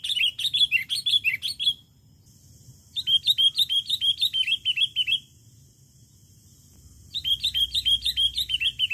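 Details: Sooty-headed bulbul song used as a lure for wild birds: three lively phrases of quick, repeated chirpy notes, each phrase lasting about two seconds, separated by short pauses with a thin steady whine and low hum.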